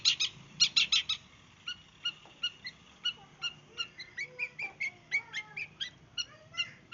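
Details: Long-tailed shrike of the East Java type, in a bursting song style suited as a lure: opening loud harsh chatters, then a fast varied run of short whistled and mimicking notes at about three per second.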